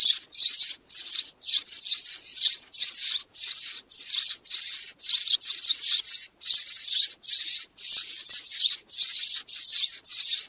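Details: Flock call of sparrows used for bird trapping; lively, overlapping high chirps grouped into regular bursts about every half second.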